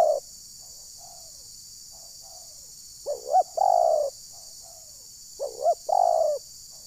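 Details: Zebra dove decoy call used to lure wild birds, said to make them angry, at Desa Satu Ujung Batu, Rokan Hulu: soft low coos, then two bubbly, rolling coo phrases ending in a longer held note, over a steady high hiss.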